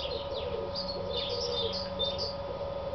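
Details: A male house sparrow advertising in a farmyard on 3 April 2008 (file labelled 2009) gives a quick run of bright, repeated chirps, over two a second, above a steady low mechanical hum.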